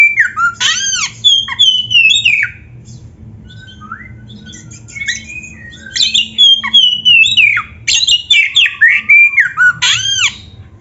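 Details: Oriental magpie-robin singing a loud, varied song used as a training recording for caged birds: sliding whistles, sharp downswept notes and harsh squawky phrases in bursts, with a quieter pause in the middle.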